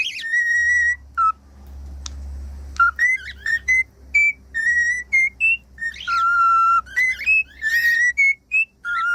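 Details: Cockatiel whistling song meant to help a pet cockatiel learn to sing: long steady pure whistles with strong overtones, then runs of short rising and falling whistled notes, a sharp click near the start, steady low hum.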